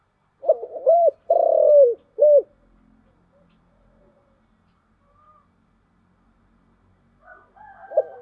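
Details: Single luring coo phrase (chiêu gù, 'giọng thổ' voice) from a spotted dove: two quick hoots, a long buzzy falling coo, a short last note, then near-silence with a faint new start at the end.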